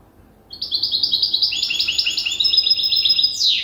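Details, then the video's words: A juvenile European goldfinch hybrid, still memorising its song from an older hybrid tutor, delivers a brisk burst of high, tinkling trills in quick succession. The burst ends with a downward buzzy rasp. "تغريد هجين الحسون لازال في مرحلة الحفظ"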